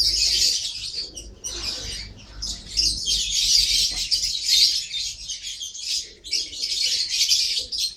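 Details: Shrill, busy twittering from a lovebird, quick squeaky notes packed several per second in bursts separated by short near-silent gaps, with a low hum in the first seconds.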